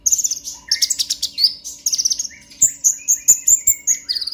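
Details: Purple-throated sunbird (konin) in clear, loud excited chatter played to trigger song in other birds: rapid high, tinkling notes in quick series, then evenly spaced sharp chips with thin whistled trills.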